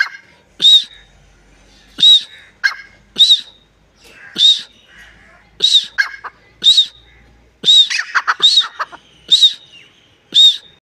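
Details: A long run of harsh, ringing partridge calls at roughly one-second intervals, with a short flurry of rapid chattering notes near the end of the series.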